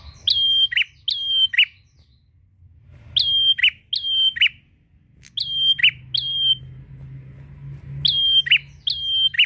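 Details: Prinia singing to call a rival: clusters of two or three whistle-and-chip units, each a held high tone snapping down to a harsh lower note, with gaps of a second or more between clusters.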